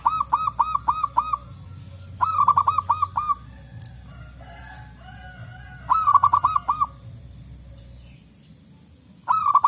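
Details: Local wild zebra doves answering one another in the forest. Four rolling phrases of rapid, mellow coos spaced a few seconds apart, with softer, distant dove notes and a low background rumble between them.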